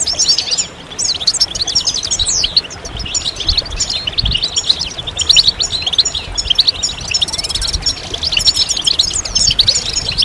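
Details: Chorus of European goldfinches used to prompt birds through moult and to rouse males into singing: dense, overlapping tinkling twitters and quick liquid trills, high and bright, filling the whole stretch with hardly a pause, over a low rumbling background.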